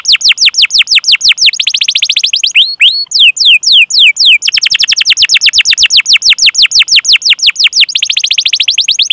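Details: Canary singing continuously on a training recording with long 'cuit cuit' calls and rolls, meant to stimulate young, untrained or silent canaries: rapid runs of sharp downslurred chirps, several per second, broken briefly by a few looping notes.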